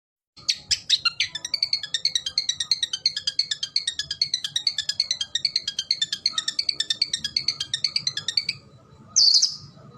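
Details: Long-tailed shrike, known in Indonesia as cendet or pentet, singing gacor style: a fast, steady run of high buzzy trilled notes repeated for about eight seconds, then a brief harsh burst after a pause.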